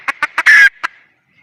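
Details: Red junglefowl female: four evenly spaced clucks, then a long, harsh, noisy squawk and a final cluck, all in quick succession.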